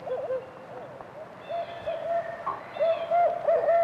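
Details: A barred owl, whose calls are usually related to courtship and territorial defense, gives a run of mid-pitched hoots that waver and slur up and down, ending in a stronger drawn-out note, over a steady hiss.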